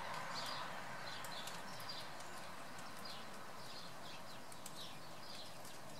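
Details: Eurasian blue tit giving quick, high, faint chirps in a fairly regular series, about four notes per second, against a constant rushing background noise.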